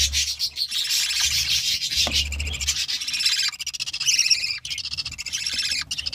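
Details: Budgie chicks crowded in the nest produce a continuous, dense, raspy high-pitched chorus of rapid chirps, with a low rumble of handling early on.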